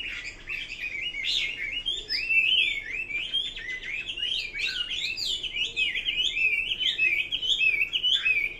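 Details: Chinese hwamei singing a long, unbroken melody of rich, rolling whistles that climb and dip in rapid varied phrases.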